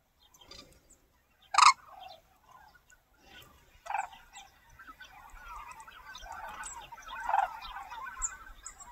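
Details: Red-crowned cranes in Cheorwon, Gangwon Province, South Korea, feeding together as a family group. One loud, sharp, harmonic-rich call rings out near 1.6 seconds, then further trumpeting calls near 4 and 7.4 seconds over a bed of softer overlapping calls.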